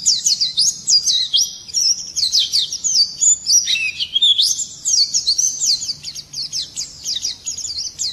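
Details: White-eye singing in the morning: a fast, continuous stream of high, thin twittering and sweet warbled phrases, rising and falling quickly, with brief pauses between bursts and no other clear sounds.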